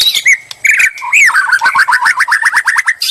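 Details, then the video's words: White-rumped shama song used as bait to provoke a reply: varied whistles and harsh notes, then a fast run of about a dozen rising-falling whistled notes repeated steadily near the end. "murai lansung moncer nglabrak penuh nyali"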